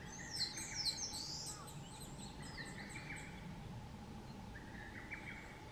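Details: Narcissus flycatcher singing on Mount Rokko, Hyogo, Japan, on 21 May 2020 in spring: bright whistled and chirped phrases, rapid descending notes and trills, with other birds calling in the background and a steady low hum.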